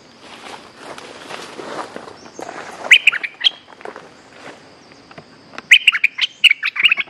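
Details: Streak-eared bulbul calls used to lure back an escaped cage bird: a short burst of bright chirps, then a longer run of quick, sharp, chattering notes, over rustling and footstep-like noises and a steady high insect hum.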